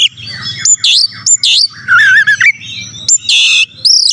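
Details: Kacer singing to stir up rival birds: rich mix of bright looping whistles, a warbled descending phrase and a harsh buzzy burst, delivered in quick loud fragments.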